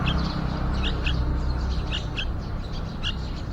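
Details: Yellow-vented bulbuls at a nest outside a window, with a mother bird and young during nesting, hatching and fledging: quick, high chirps in uneven bursts over a loud, constant low rumble of background noise.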